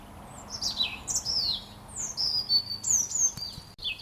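A robin sings a run of high, thin, sliding whistles and warbles, each phrase falling or wavering, with brief pauses between them over faint background hiss.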